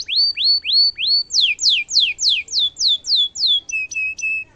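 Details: Domestic canary song with ornate phrasing, meant to tutor other canaries: four rising whistled slurs, then a fast run of about eight steeply descending sweeps, ending in short flat tones repeated three times.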